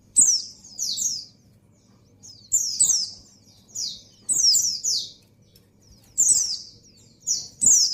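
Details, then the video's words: Calling to attract a male, a breeding female white-eye gives high, sharp, descending double notes in irregular bursts, several phrases over eight seconds, with faint low hum. "Suara Burung Pleci Betina Birahi Memanggil Jantan"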